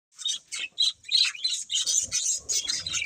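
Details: Breeding pair of budgerigars chirping: rapid bright, scratchy high-pitched chirps in quick irregular bursts, nearly three per second, with brief gaps and a faint low rumble late on.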